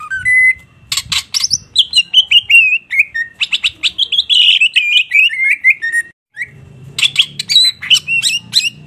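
A greater green leafbird sings a loud, rapid stream of varied whistles, chirps and buzzy trills, with a brief pause near the end; faint low background hum.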